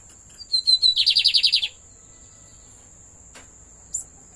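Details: A kept lined seedeater gives one song phrase. Short clear whistles lead into a rapid buzzy trill of about ten pulses, followed by a sharp click and a brief high chip, with a constant thin electronic-like whine behind.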